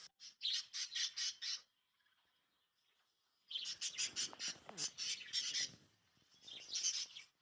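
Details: Lovebirds at night at sleeping time give rapid bursts of harsh, shrill squawking chirps in repeated pulses.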